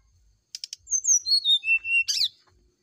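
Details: A brown-chested jungle flycatcher's morning song, used to provoke a reply: three clicks, whistled notes falling step by step, a short level note, then a dense burst of chattering chips.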